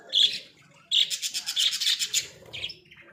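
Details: Pet Australian budgies in a small cage: a short bright chirp, a pause, then a rapid run of scratchy, buzzy warbled notes about six per second, ending in a thin squeak.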